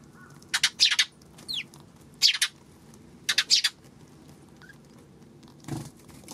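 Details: Sparrows recorded on 26 May, giving short bright chirps in clusters of two or three, with a quick upward slurred note near the middle and a soft low thump near the end.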